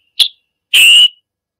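A Scarlet Tanager gives its chick-burr call: a sharp, high 'chick' followed half a second later by a hoarse, buzzy burr lasting about a third of a second.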